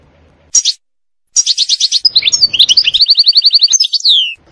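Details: Goldfinch in forest: one short chirp, a pause, then a lively stream of twittering notes running into an even, rapid trill and a final falling whistle.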